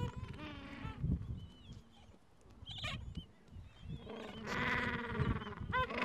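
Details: Gentoo penguins at the edge of a breeding colony in the Falkland Islands on a mild afternoon, tending two- to three-week-old chicks and nests; two loud, harmonic, braying bursts with rapid pulses, separated by quieter chatter and low rumbling.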